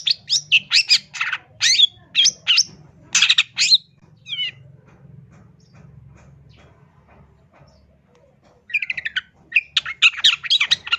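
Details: A long-tailed shrike gives a full, varied training and lure song, pouring out fast, chattering phrases of scratchy high notes and sharp whistles in quick bursts, then pauses for a few seconds before resuming.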